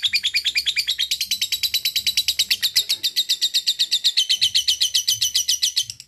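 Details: Lovebird giving a long ngekek chattering song: a fast, unbroken run of sharp, high chirping notes, steady in pace and loudness for about six seconds, with a faint low hum beneath.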